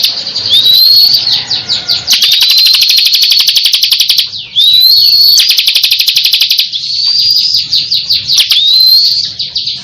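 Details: Ciblek kristal (bar-winged prinia) in full gancor song, a steady high buzzing stream of quick clicks about four per second with rising thin whistles woven in every couple of seconds.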